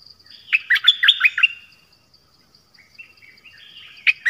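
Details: Malaysian Pied Fantail song. A quick phrase of tumbling whistled notes is followed by softer, drawn-out warbles and two sharp notes at the end.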